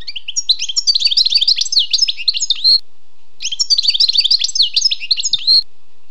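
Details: Wild European goldfinch delivering two dense bursts of rapid, liquid twittering, each about two and a half seconds long and ending in a short buzzy note, with a brief pause between them.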